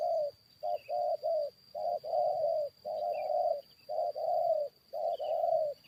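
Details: Spotted dove luring wild birds into a fight: repeated cooing phrases, short notes followed by longer rough coos, about once a second in groups, with a constant high whine and faint distant chirps.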